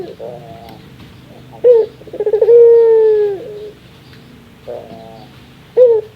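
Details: Barbary dove (burung puter) giving its laughing call, described as a very rare sound: a stuttering run of low pulsed coos swelling into one long steady coo, with short rising notes before and after. A faint room hum sits underneath.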